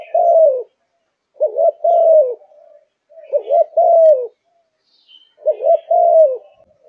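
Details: Three regular cooing phrases from a caged Malaysian zebra dove in peak condition, each a quick double roll followed by a longer smooth, falling coo, separated by silent gaps of about a second.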